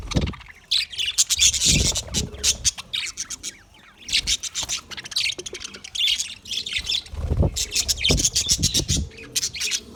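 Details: English budgerigar on February 14, 2024, keeping up bursts of scratchy high chirps and squawky warbling in clusters separated by short gaps, with several deep thumping or bumping noises underneath.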